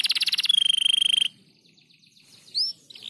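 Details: Crested canary in gacor rapat song: a brisk rattling trill slides into a steady whistled note, then a pause and a single upswept whistle.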